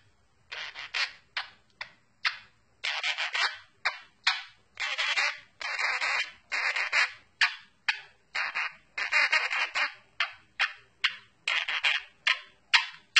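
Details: A pet monk (Quaker) parakeet sings the Addams Family song in harsh, raspy bursts with an uneven rhythm.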